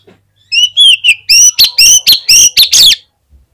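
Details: Oriental magpie-robin in full song, used as a lure to prompt other magpie-robins to sing: a few soft whistled notes, then about ten loud, harsh, overdriven bursts with sliding whistles, packed into under three seconds.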